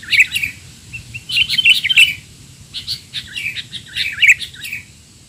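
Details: Noisy sooty-headed bulbul calls used to train young bulbuls: rapid clusters of bright, slurred chirps and downward flicks, loud and busy, in three main bursts with short quiet gaps.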